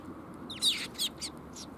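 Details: A young sparrow at Mizukami Bridge, 5 June 2021, utters three or four brief, bright chirps, the first a slurred squeaky note, each quieter than the last, against a soft background.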